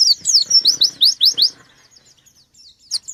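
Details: White-eye challenging a rival with a quick run of loud high descending chirps over one and a half seconds, then near silence and a last brief note.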